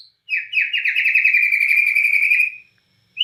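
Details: Murai batu (white-rumped shama) of the Borneo type, singing strongly in the style called nembak cililin: a rapid run of about twenty buzzy, trilled notes near the same pitch for two seconds, then a brief rising whistle.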